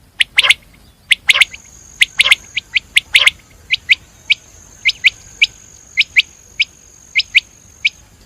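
A common quail gives sharp, liquid three-note bursts about once a second, then single clipped notes, over a thin steady high whine.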